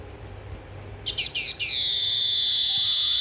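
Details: Tailorbird in lively song: faint soft notes, then three short bright chips swelling into a long, even, high-pitched whistle held to the end.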